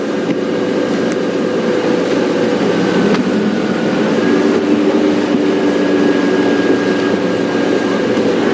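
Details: A steady loud vehicle or train rumble fills the recording, with droning engine tones and no animal voices.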